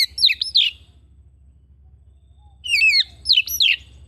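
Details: Household Oriental magpie-robin singing twisting, sweeping notes in two energetic bursts separated by about two seconds of near quiet.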